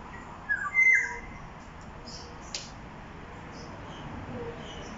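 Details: Black-naped oriole calling in Jurong East, Singapore, at about 1 pm on 13 October 2021: a loud, clear burst of fluting, musical whistles that rise and fall, then quieter background sounds.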